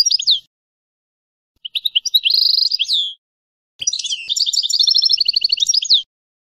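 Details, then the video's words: Twittering European goldfinch song: a short opening phrase, a buzzy trill ending in a downslur, then a longer mix of chirps and quick repeated notes with a sharp click between phrases. "Nature European Goldfinch Songs"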